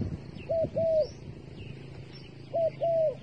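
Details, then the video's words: A dove kept as bait gives two double coos, a short note and a drawn-out falling one, separated by a two-second pause, with thin high bird chirps faintly behind. "The five videos of the dove bait are really good to wa"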